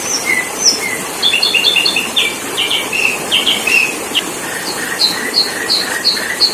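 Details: Sooty-headed bulbul recorded as a lure song for trapping birds. Bright, high chirps and short whistled notes come in quick, uneven bursts, with a clustered trill in the middle. Steady background hiss throughout.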